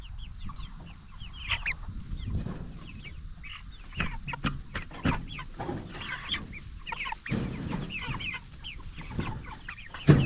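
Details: Jumbo Cornish Cross broilers at 44 days, raised for meat, keep up steady chirping, many short descending peeps overlapping across ten seconds, amid shuffling, rustling and bursts of low bumping.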